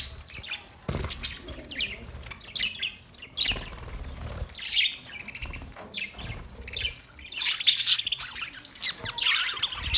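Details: Budgerigars in a colony setup; scattered high chirps and warbles with bursts of flapping wings, then louder excited chattering near the end.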